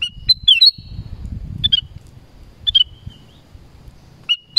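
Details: Black-crested bulbul in forest repeating short, sweet whistled phrases of a few slurred notes, about four bursts in quick succession, over a faint low murmur.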